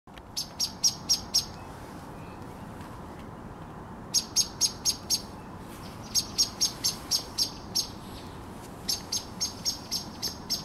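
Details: Common blackbird calling on 10 April 2021: runs of five to seven sharp, high, clicking notes delivered about four per second, separated by short pauses, over a low steady background rumble.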